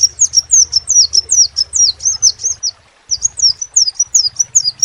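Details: High, thin crimson sunbird song: repeated sharp descending notes in a steady rapid series, a brief gap, then another burst, over a soft low hum.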